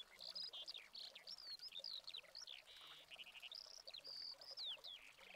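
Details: Eurasian skylark filmed in Spain in August 2020 with a Canon 7D Mark II camera. A continuous, rapid, high-pitched outpouring of chirrups, buzzy trills and whistled slurs, some rising and some falling, runs through the recording without pauses.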